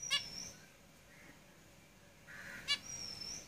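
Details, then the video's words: Caged zebra finches singing: two nasal, buzzy, trumpet-like notes about two and a half seconds apart, between thin, high drawn-out whistles and a brief mid-pitched buzz. "Zebra Finches Singing"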